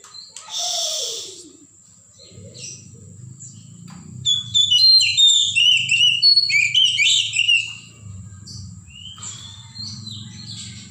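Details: Forest-dwelling Oriental magpie-robin: after a short burst of noise, the bird sings fast, rich whistled phrases for several seconds over a steady low hum, then falls quiet.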